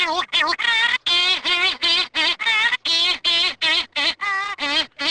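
Cory's Shearwater giving a rapid series of nasal, wailing syllables, about three per second, each rising then falling in a rich, reedy tone.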